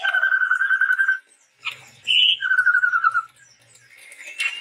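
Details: Sumatran forest bird, a male chestnut-rumped babbler, singing long, level, clear whistles, each held about a second, separated by a short burst of harsher notes.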